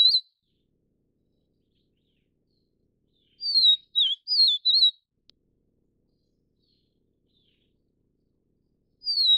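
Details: Feeding chicks, a vivid niltava of subspecies vivida from Taiwan gives one clear phrase of four high slurred whistles, bracketed by fragments of further phrases at the start and end, in a quiet setting.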